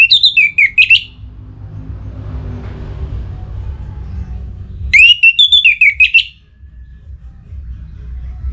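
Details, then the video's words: Orange-headed thrush singing in breeding mood to call a rival: two lively phrases of pure whistles and fast warbled notes, each about a second long, separated by several seconds of quiet hum. "ANIS MERAH Gacor Pancingan Birahi & EMosi Burung || Kicau memanggil lawan"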